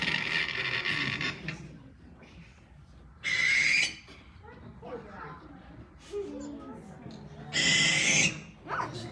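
Barn Owl giving harsh, hissing screeches, three long raspy bursts a few seconds apart, with nothing like a hoot; a person talks between them.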